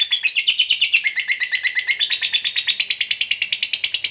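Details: Lovebird in full ngekek, meant to goad a lazy, quiet lovebird into sound: a dense, rapid, high-pitched rattling chatter, pulses tightly packed and unbroken from start to finish.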